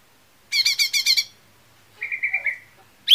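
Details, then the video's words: Lesser green leafbird song used as a lure to make other leafbirds sing: a burst of five rapid buzzy, layered notes, a pause, then a flat whistled trill with a short rise at the end. "SUARA PANCINGAN CUCAK IJO MINI"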